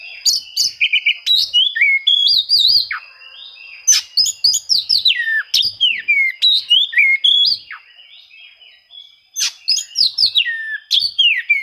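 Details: Varied Oriental magpie-robin song meant to draw out rivals and get silent birds singing: quick clusters of sweet whistles, down-slurred notes and harsh chips in bursts, with a short quieter pause midway and a constant faint high whine.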